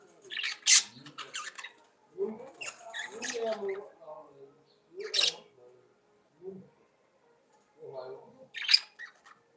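Budgerigars warble in scratchy, chattering bursts with sharp high chirps and throaty, almost speech-like mutterings, in irregular phrases separated by short pauses.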